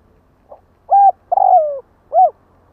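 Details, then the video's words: One kích bổi luring phrase from a spotted dove: a quiet opening pip, then a short coo, a long downward-sliding coo with a slightly stuttered start, and a rounded final coo. "Chim cu gáy kích bổi nhanh nổi | Suara burung tekukur"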